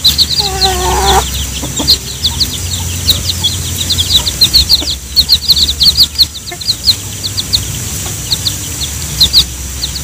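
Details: Mother hen calling her chicks to eat banana: a brief low nasal call near the start, then many high, thin chick peeps repeated quickly throughout.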